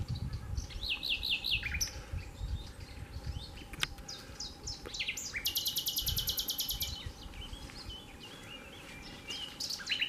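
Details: Nightingale song with varied phrases: whistled notes, sharp clicks and a long rapid buzzy trill of repeated notes, set against constant low background noise.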